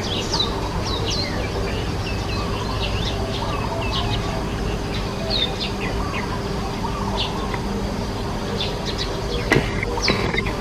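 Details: Nest-building sparrows chirp in short, high, irregular notes, with several spaced calls across the recording over a steady low hum and a brief clatter near the end.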